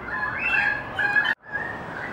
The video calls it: Currawong family singing